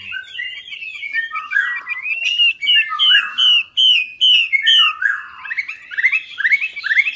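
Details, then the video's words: Chinese hwamei lure song to prompt a non-singing bird: varied whistled phrases, a run of loud repeated slurred notes, then rapid rising whistles at the end. "PANCINGAN WAMBI MACET"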